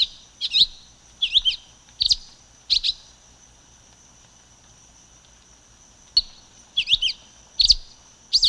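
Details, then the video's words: Silver-beaked tanager producing bursts of sharp high chirps, a few in quick succession, then a pause of about three seconds before more doubled notes resume. "Canto da Pipira Vermelha Ramphocelus Carbo"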